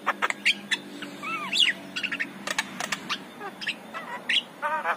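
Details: Javan myna morning song used as a lure for other mynas, mixing squeaky whistled slurs, curved rising and falling whistles, sharp clicks and brief harsh notes in a dense, jumbled sequence.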